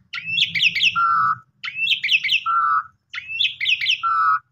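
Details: Asian pied starling song used as a lure to rouse sulking or stressed kept birds: three repeated phrases, each a quick run of upswept chirpy notes followed by a long, steady, lower whistle, about every 1.5 seconds, over a faint low hum.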